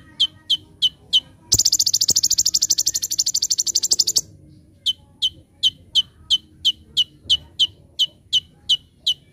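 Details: Brown-throated sunbird, full 'tembakan' master recording: evenly paced sharp chips, interrupted by a long, very high, buzzing rattle of nearly three seconds, then the chips resume steadily.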